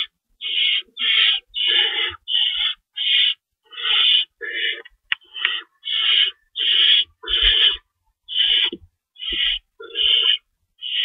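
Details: At 3:53 AM on March 25, 2012, owls at their nest during feeding time, two rabbits stored and one adult shredding; about seventeen short rasping hisses in quick, uneven succession, some overlapping, plus a sharp click midway.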